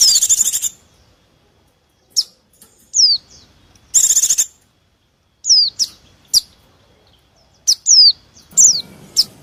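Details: White-eye lure recording for attracting wild white-eyes and other small birds: sharp, high, downward-slurred whistles alternate with harsh buzzy rattling bursts, separated by brief silences.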